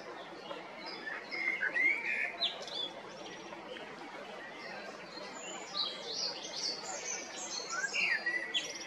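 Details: Male common blackbird in Zagreb, Croatia, recorded April–May 2022: two sung phrases of mellow whistles ending in high squeaky twitters, separated by a pause, amid a background of many small chirping birds.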